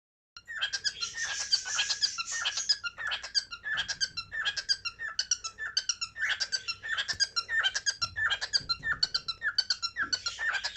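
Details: A cockatiel, apparently in Saudi Arabia, calls indoors with a steady run of harsh, chattering chirps in bursts about every second, mixed with bright whistled notes.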